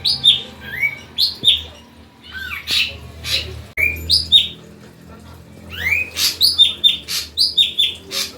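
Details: Ashy drongo singing as a lure to get untrained drongos to join in: lively series of clear whistled notes, some swooping up or down, mixed with rasping bursts, delivered in rapid varied phrases with brief pauses.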